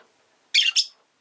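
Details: Rosy-faced lovebird kept as a pet, a sharp double chirp, the two harsh high notes run closely together in a quiet room.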